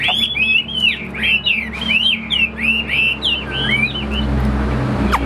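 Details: Hwamei kept as a caged fighting bird, wings spread, gives a flowing chain of rich, curling whistles that slide up and down, while a passing motor vehicle rumbles in the background.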